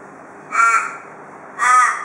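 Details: Australian raven, a wild bird that visits a porch daily in Perth, Australia, giving the "cock a doodle doo" call said to be typical of Perth ravens: two harsh, drawn-out nasal caws about a second apart over faint steady background hiss.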